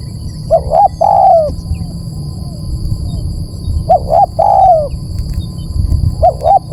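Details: Spotted dove cooing for luring birds: repeated phrases of two short hoots and a long falling coo, about three seconds apart. A heavy low rumble and a faint constant high tone sit underneath.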